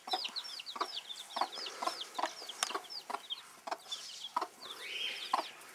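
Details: Dwarf broody hen among her young chicks, giving soft, regular clucks about once per second while the chicks keep up a continuous chorus of high, wavering peeps.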